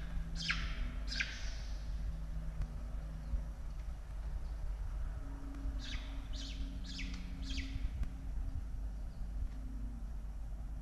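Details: Peregrine falcon nest in Australia during evening chick feeding, 16 October 2022: two strong descending chirps at the start, then four more near six to eight seconds, with steady low droning tones between.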